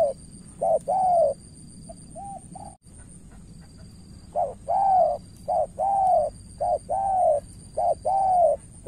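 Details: Spotted dove, a decoy bird facing an experienced rival in Cà Mau, Vietnam: mellow mid-pitched coos in short, quick notes and longer slurred phrases, repeated in a loose rhythm with a quieter gap in the middle.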